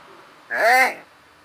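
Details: Common hill myna (merlo indiano), talking among Italian words, gives one voiced, rich-toned syllable lasting about half a second. Its pitch rises and then falls, set in a quiet indoor room.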